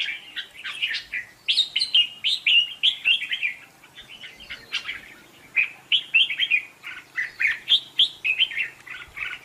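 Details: Lively contest song of a decoy red-whiskered bulbul: looping whistled phrases, each a quick rising then falling slur, repeated briskly with a short gap midway.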